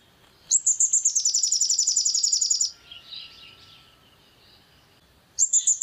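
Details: Long-tailed shrike, recorded as a singing provocation: a two-second rapid chatter of high, repeated notes, followed by soft, muffled rustling sounds and another fast chattering burst at the end.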